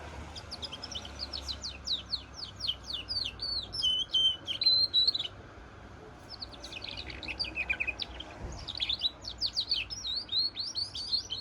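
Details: Goldfinch × canary hybrid song in two long phrases of fast, bright chirps and slurred whistles, broken by a short gap, with low background hum.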